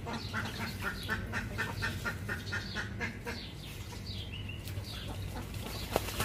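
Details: Ducks quacking in a rapid, uneven series of short nasal calls, about two per second, with a few higher squeaky notes near the end over a steady low background rumble.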